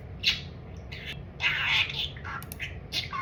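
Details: Pet budgerigar chattering about food: scratchy, squawky syllables with brief bright whistled notes, bursts spaced irregularly over a steady low hum.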